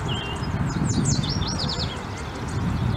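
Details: A group of American bushtits bathing together, giving thin high twittering notes in a quick run of short sliding chirps near the middle, over a steady low rumbling background.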